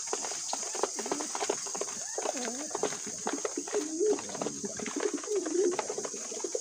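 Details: Pigeons kept as pets, heard while eating, give low, wavering coos that bend up and down in short phrases. A constant shrill hum and faint clicks run underneath.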